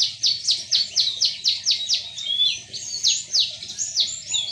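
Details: Midday song of a white-eye hand-raised from a young age: a fast series of very high, thin chirps, each a sharp downward slur, about four per second and steadily repeated, loud and close.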